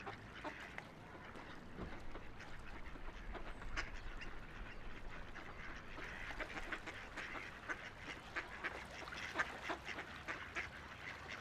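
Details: A group of ducks floating and splashing along a quiet river quack repeatedly, the calls growing busier toward the end, above a low rushing water sound.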